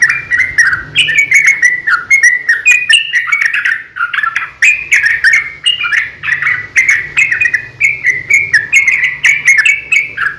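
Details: {'text': 'Long, continuous fighting song from a yellow-vented bulbul, used as a lure so other bulbuls respond: a steady ten-second stream of chattering, warbled whistles that wander up and down without pause.'}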